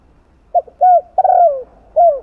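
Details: Stimulating coo of a spotted dove, sung in the 'giọng đồng' manner with two trailing notes ('2 hậu'): a short double note, a rounded coo, a long descending coo, and one last falling coo.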